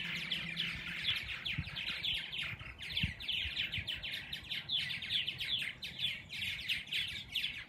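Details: Dozens of purple martins feeding and nesting in a back yard near a lake chatter in a dense, continuous stream of gurgling, chirping notes, several birds overlapping with no pause; faint low rumbles underneath.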